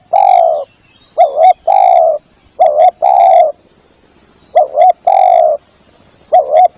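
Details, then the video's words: Spotted dove lure call to attract doves: alternating short double-peaked coos and longer steady rolling coos, repeated in a steady series over a faint high hiss. "Bunyi pikat burung tekukur"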